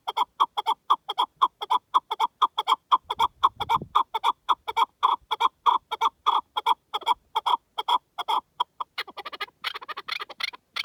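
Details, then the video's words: Wild partridge in natural wilderness repeating clipped chuck-chuck notes in a long, even run of about two per second. A brief low rumble sounds midway, and harsher, more excited notes come at the end. "Pure Partridge Calls in the Wild"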